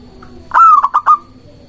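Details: Local zebra dove singing vigorously, used as a lure to draw doves and provoke rivals into answering: one loud cooing phrase of a long slightly falling note followed by three short rolling notes, steady low hum behind.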